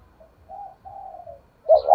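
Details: Spotted dove calling to lure wild doves into answering and coming in: two soft, level, drawn-out coos, followed by the loud start of a stronger rounded coo at the end.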